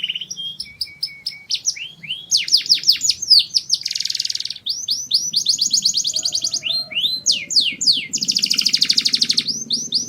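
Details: Canary singing for mating: a loud, varied run of high sweeping chirps and rapid trills, with buzzy rolled phrases and fast repeated note series, unbroken for ten seconds, over a faint low hum.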